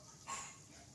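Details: An angry pet parrot gives one harsh, raspy squawk, brief and sharp, in otherwise quiet surroundings.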